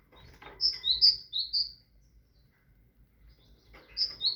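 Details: A tit gives four clear high whistles alternating between two pitches in a quick rhythm. Near-silence follows, then the same two-note phrase begins again, preceded by faint twitters.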